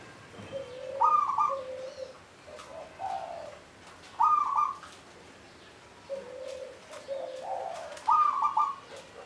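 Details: Local zebra dove (perkutut lokal) near the Candi Rimbi temple ruins in Jombang. Its song is a rolling, bubbly trill around a mid pitch, preceded by lower soft coos. Phrases repeat roughly every three to four seconds over a quiet rural background.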